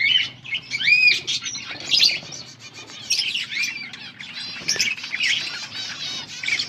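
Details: Mating call of a breeding budgerigar pair, August 16, 2024: lively warble of looping whistled notes, upward and downward slurs and fast chirps, nearly continuous with slight dips in volume.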